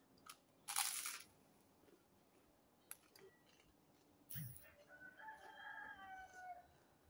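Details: A rooster at a village farmhouse crows once from a distance during breakfast, a drawn-out wavering cry lasting about two seconds, over nearby crunching and kitchen clatter.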